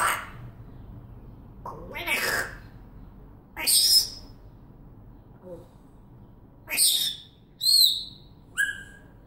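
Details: Pet African grey parrot mixing harsh squawks with whistling, ending in a run of three clear whistles that step down in pitch, each about a second apart, against a quiet room.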